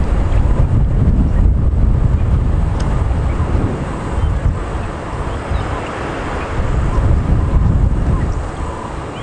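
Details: Loud engine rumble and wind buffeting from a game drive vehicle, with occasional voices and no animal calls.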